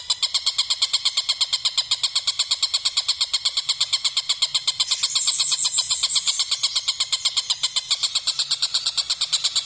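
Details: Kingfisher cackling: a steady, rapid run of rasping high notes held at an even pace throughout, briefly louder in the middle.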